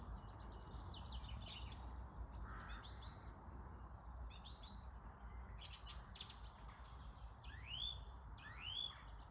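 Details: Springtime chorus of birds singing outdoors, with dense high twittering phrases and a few rising whistled notes near the end, set against constant low-pitched background rumble.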